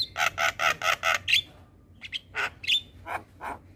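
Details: Javan pied starling's morning song for teaching young starlings: six quick raspy chattering notes in a row, a short whistle, then scattered harsh squawks after a brief pause.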